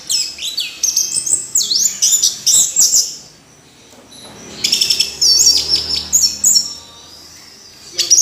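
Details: Orange-headed thrush singing loud, swooping whistled phrases that sweep down and up, about three seconds of song, a lull, then another energetic burst.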